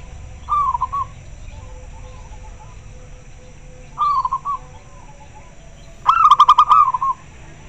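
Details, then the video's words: Very clear local zebra dove answering another bird: three phrases a few seconds apart, two short falling broken coos followed by a louder stuttering run of rapid pulsed notes, faint softer coos between. "Suara perkutut lokal sangat jernih - denger suara nya pada respon nyaut"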